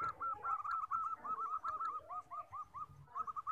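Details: Common 14-tail-feather zebra dove, a lure-and-training recording: a long even series of soft, slightly falling coos about five per second over faint low background rumble.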